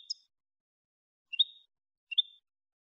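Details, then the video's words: European goldfinch in the clean malagueño song style, recorded to tutor other goldfinches: three short, high, slurred chirps spaced well apart over near silence. "NUEVO CD MALAGUEÑO LIMPIO PARA EDUCAR JILGUEROS"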